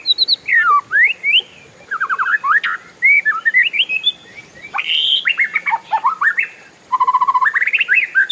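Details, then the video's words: Long roll from a kept oriental magpie-robin: fast chattering runs, stepped descending notes, loud swooping whistles and a final burst of quick repeated notes, nearly without a break. "SUARA KACER RIUH NGEROLL PANJANG, BURUNG LAIN LANGSUNG IKUTAN"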